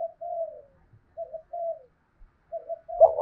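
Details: Decoy spotted dove cooing to make other doves call. Soft, short low coo notes separated by gaps, ending with a sudden louder burst.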